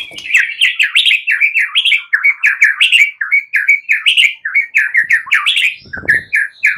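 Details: Competition white-rumped shama males, caged, answering each other in agitation; a continuous stream of rich, varied warbled notes with sharp chips over top, rapid and unbroken for several seconds.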